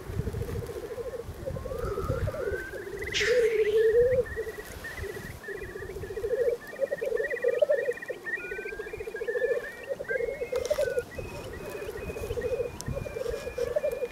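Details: Male black grouse displaying on a lekking ground in Scotland, bubbling: a low, dove-like rolling coo runs almost without pause, with one hissing rush near the start; thin repeated notes from other birds above.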